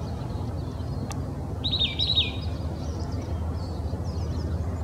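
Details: Oak titmouse singing in Old Torrance, Los Angeles County, California, on January 21, 2020; one brief burst of three or four clear, high whistled notes in quick succession, with faint distant chirps and a steady low urban rumble.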